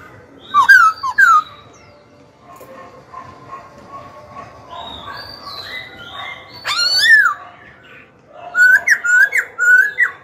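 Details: Young Black-throated laughingthrush kept in a cage, singing to provoke rivals and train young birds. A pair of clear whistles comes first, then softer warbling and a sharp rising note. A closing run of five or six bright, bouncing whistled phrases ends the song.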